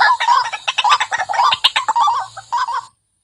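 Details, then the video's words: White-breasted waterhen lure recording: quick series of hoarse, croaking notes in uneven bursts, ending abruptly in silence. "Suara Pikat Burung Wak Wak Garang"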